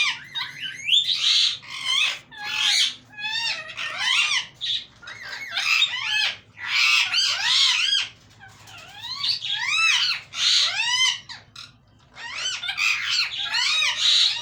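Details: Talking parrot giving a steady run of shrill, speech-like phrases, each syllable sweeping sharply up and down in stacked harmonic bands, with brief pauses between bursts; quiet indoor setting with no other clear sounds.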